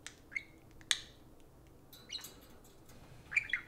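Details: Pet parakeets talking to a spoon indoors: a few sharp, high chirps and squeaky notes come in short bursts, separated by long near-silent pauses.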